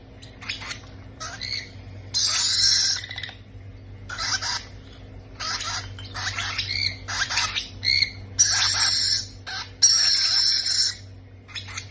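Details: Parrot babies being fed give a rapid, uneven string of short scratchy squawks and chirps, building to longer, louder rasping calls toward the end, with a continuous low hum behind.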